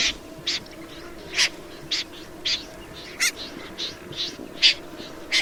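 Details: Snipe uttering single sharp, rasping notes at irregular intervals of about half a second to a second, with a steady low hum behind.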